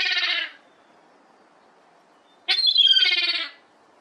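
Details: Fledged juvenile herring gull siblings at play in a garden; a rich, nasal bleating call ends, then after a two-second pause a longer, harsh, wavering wail with a sharp onset.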